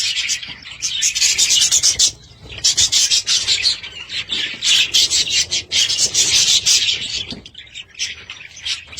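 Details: Pet budgies producing a harsh, grating chatter of fast high notes in long bursts with brief pauses between.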